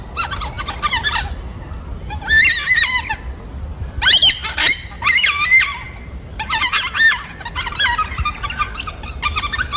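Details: Yellow-tailed black cockatoos in a foraging group of four to five birds, calling to communicate: loud, raspy, overlapping wailing cries in clustered bursts, bending up and down in pitch.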